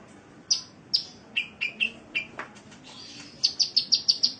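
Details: Sunbird (kolibri) song for training kept birds in Indonesia: spaced sharp downslurred chirps, then a quick even series of six high, thin ticking notes at the end, over a low steady hum.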